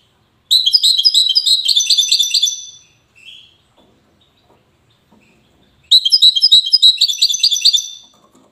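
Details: European goldfinch from Safi, Morocco, singing two separate twittering phrases about three seconds apart, each a quick jumble of high chirps and trills, with quiet pauses between.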